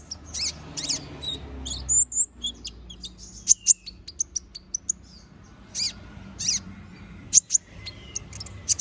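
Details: Little spiderhunter singing energetically in a sharp-toned fill-in song for bird tutoring. Very high piercing chirps, short trills and a few long thin whistles are spaced irregularly.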